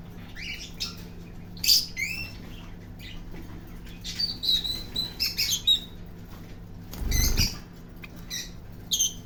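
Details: Parrot chattering in quick chirps and short squeaky notes, some upslurred, spread unevenly across the stretch, with a dull knock midway and a soft background hum.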